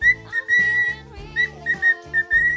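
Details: Pet cockatiel whistling a song indoors: bright, clear whistled notes held at a fairly steady high pitch, repeated in short phrases about every half second, over a lower humming, musical tone.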